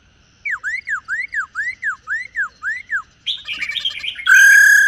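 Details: Female black-throated laughingthrush, a 'rò' call used to stir male birds, gives about ten quick, curved whistles in steady rhythm. These break into a jumbled chatter, then end in a loud, harsh, nasal note.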